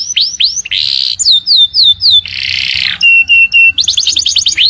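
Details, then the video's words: A canary's morning song mixes curved whistled notes, harsh buzzy bursts, short level piping notes and a quick cluster of rising slides. "Kenari Gacor Panjang | Canaries Singing beautifully in the Morning"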